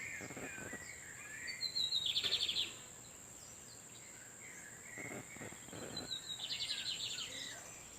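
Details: Wild lined seedeaters in the background, with males exchanging song while a female incubates nearby. Two bright buzzy trilled bursts come about four seconds apart, with softer whistled notes between them and a steady high insect hum throughout.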